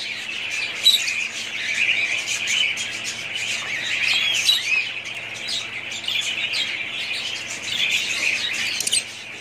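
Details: A family of budgerigars, pet parrots, in a dense, continuous chatter of high chirps, warbles and squeaky notes from several birds at once, with occasional sharper squawks standing out near the one- and four-second marks.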